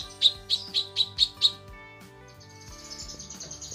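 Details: Female lesser green leafbird calling the male: six loud, sharp high chips in quick succession, then fading into a thin, faint buzzy trill. Low steady tones in the background.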